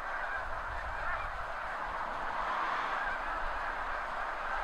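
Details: Thousands of snow geese taking off all at once from crops near the seaway at high tide in mid-spring, recorded from a backyard: a dense, continuous roar of overlapping honking calls with low rumble beneath, steady throughout.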